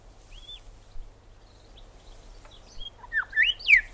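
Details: Grey Shrike-thrush from Australia: a few faint whistled slurs, then a loud burst of clear, sharply bending whistled notes near the end, rising and falling in quick succession over a quiet background.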